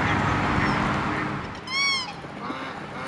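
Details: Black swan cygnets: a single clear, arched whistled peep, rich in overtones, rising then falling, lasting about a third of a second near the middle, over a steady background hiss.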